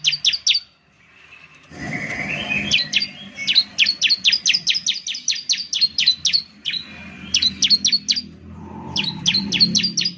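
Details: Bar-winged Prinia, locally ciblek, lure song: several short chirps, then a swelling rush of low background noise, followed by long rapid volleys of high, clipped chirps repeated about three per second, with a brief break near the end.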